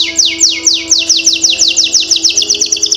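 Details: Lure song of a canary to prompt young canaries to sing fast: a rolling run of quick downward-swept whistled notes, about seven per second, over a steady faint low hum.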